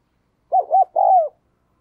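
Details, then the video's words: Spotted dove kept as a decoy, cooing to lure wild doves. A single phrase: two quick rounded coo notes, then a longer sustained coo that slides downward at the end. "Chim Cu Mồi Thúc Và Gáy Gọi Rất Sung"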